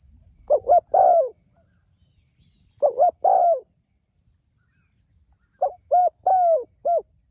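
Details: Three phrases from a spotted dove calling to others: quick double coos ending in a longer falling coo, the last phrase stretched to four separate coos. Distant high bird chirps in the background.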